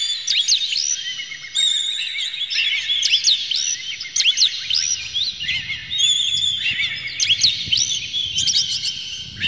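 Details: Oriental magpie-robin singing as a stimulus for other birds: a dense stream of sharp whistled notes, rising and falling sweeps, and bright chattering bursts, loud and nearly unbroken throughout.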